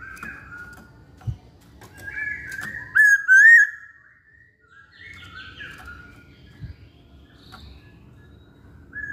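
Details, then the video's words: Actively singing Chinese hwamei giving varied whistled, warbling phrases that rise and fall, with one loud, intense looping burst in the first half, then softer scattered notes over a faint low rumble. "Burung Poksay Hongkong Gacor"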